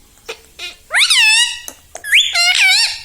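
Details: A household parrot imitating human words such as mummy and papa: two faint clicks, then two drawn-out, strongly harmonic, nasal phrases that climb and level off.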